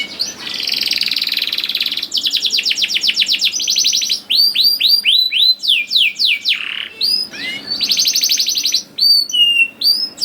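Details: Canary song played to encourage young canaries to sing: an opening buzzy roll, a fast rattling trill, then repeated arching whistled notes and sharp chips.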